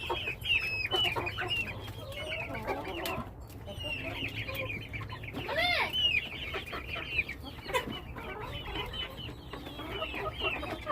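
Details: A home flock of chickens keeps up dense high peeping with clucks, briefly pauses, then resumes, with one loud rising squawk in the middle and faint voices.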